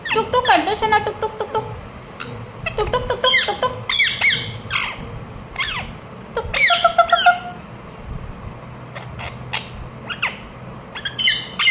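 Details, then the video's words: A pet talking rose-ringed parakeet indoors, in the morning, gives rapid, harsh squawks and shrill chirps with sharp rising and falling notes, mixed with mimicked speech-like sounds. "Ringneck parrot Chirping sounds"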